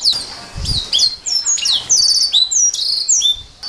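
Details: Canary singing, a master recording for training songbirds to sing in gacor style: a continuous run of high, fast whistled sweeps and buzzy trills, with a brief low thump near the start.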